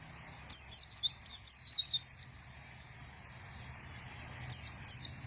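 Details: White-eye singing in hard, rapid phrases of sharp descending whistled chirps, very high and clear. Two phrases come close together, a quiet gap follows, then two more short notes.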